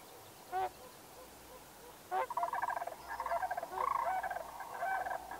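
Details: Sandhill crane giving a rolling, trumpeting call: two short isolated notes near the start, then from about two seconds a rapid, continuous series of throaty, harmonic-rich pulses that grows louder toward the end.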